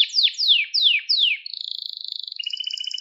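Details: Canary, recorded for training young songbirds: five slow down-swept whistles, each falling steeply, followed by a rapid, even, high trill.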